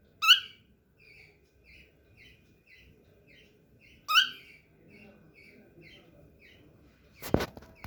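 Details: Small cockatiel taking its first walk gives two loud, grating squawks four seconds apart, soft chirps repeated roughly every half second in between, then a burst of scratching or clattering at the end.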